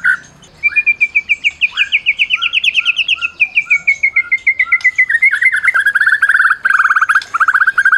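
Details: Award-winning Medan-type white-rumped shama singing as a tutor meant to provoke silent shamas into song. A long, fast series of repeated clipped notes drifts slowly downward, then gives way to lower warbled phrases in quick, steady rhythm.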